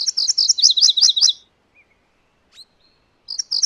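MacGillivray's warbler sings a quick, high, buzzy phrase of about eight rapid chirping notes, then pauses and starts another phrase.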